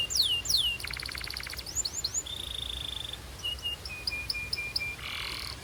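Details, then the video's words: Belgian canary warming up and singing: falling whistled slurs, a fast buzzy trill, a steady held tone and a row of short level notes, with faint background hiss. "This BELGIAN CANARY SINGS BEAUTIFULLY - Warms up quickly!"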